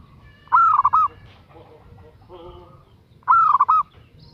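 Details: Female zebra dove calling a male: two rolling coo phrases under three seconds apart, each a rising note into a quick burst of soft trilled coos; faint other bird notes sound between them.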